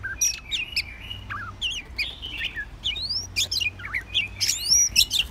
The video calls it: White Rumped Shama